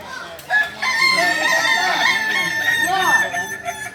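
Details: Native Solok Kukuak Balenggek singing chicken during crowing performance training, giving a long, continuous, rich crow of overlapping rising and falling notes that lasts over three seconds after a quiet start.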